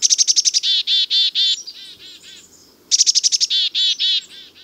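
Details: A Black-capped Chickadee in a Utah backyard gives its chick-a-dee call twice, which sounds like its name: a quick run of high, sharp notes followed by several buzzy dee-dee-dee notes.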